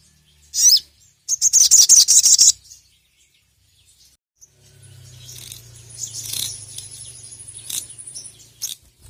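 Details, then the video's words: Sogon sunbird calling a rival: a short high chirp, then a loud, rapid, shrill trill of about a second. Then a long low hum with a faint high whine and a few soft chirps. "SOGON GACOR NGERIWIK LANGSUNG BONGKAR EMOSI dengar masteran burung sogon gacor memanggil lawan ini"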